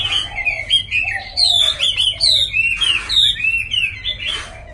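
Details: Caged tame Chinese hwamei in Hanoi, Vietnam, giving bright, loud song: clear descending whistled phrases strung together with quick buzzy flourishes, delivered almost without pause. A low background hum is present.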